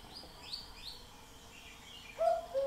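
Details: A single falling two-note cuckoo call sounds near the end after a quiet stretch. Faint higher twitters from other birds come first.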